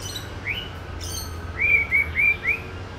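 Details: Song of a male white-rumped shama, a skilled mimic of other birds: one rising whistle, then a quick run of four clear upslurred whistles, with faint high thin notes and low background hum.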